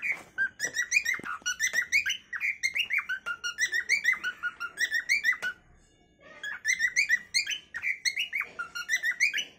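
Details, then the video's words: Cockatiel calling: rapid strings of short harmonic whistled notes around the upper-middle register, bending and chirping about three per second, in bursts separated by a brief pause, indoors. "Funny cockatail bird 🐦🕊️ natural calling song by cocktail"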